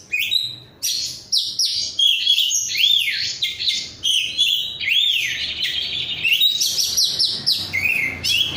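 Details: Kacer (oriental magpie-robin), raw 'rudal Korea' bird in energetic song: dense, loud, high-pitched phrases of arched whistles, sharp chips and quick trills, nearly continuous with tiny breaks.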